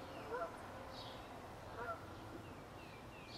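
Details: An approaching goose at night gives two faint, nasal honks about a second and a half apart over a steady background hiss.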